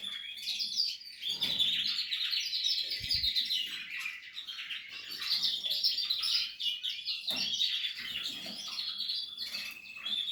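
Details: Portuguese harlequin canary in breeding condition while nesting, singing loud dense rolling trills and whistled notes almost without a break, with a short low knock about three seconds in.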